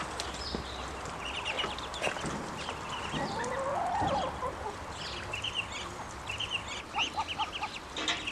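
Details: Hungry, half-grown ducklings keep up scattered high peeping: small clusters of sharp chirps, one rising squeaky call in the middle, constant low background hum.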